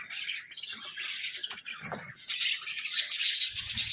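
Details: Budgerigars kept as pets chatter while feeding on fresh vegetables, giving dense, scratchy, high chirps and squawky notes almost without pause, with soft low pecking or rustling sounds underneath.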